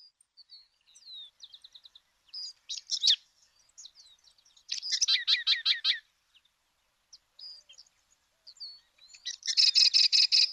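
Sedge Wren singing: scattered high dry chips lead into rapid, rattling chattered trills, repeated in bursts of about a second, with nothing else heard.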